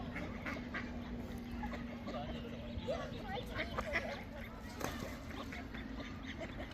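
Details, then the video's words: Duck quacking: short nasal quacks, some clustered near the middle, over constant broadband background noise and a steady low hum. "Duck Quack Sound Effect"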